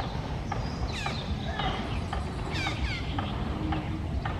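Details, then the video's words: Red-breasted parakeet giving harsh, descending squawks in quick pairs and short bursts against constant low environmental rumble. "Red-breasted Parakeet.ကျေးကုလားမ"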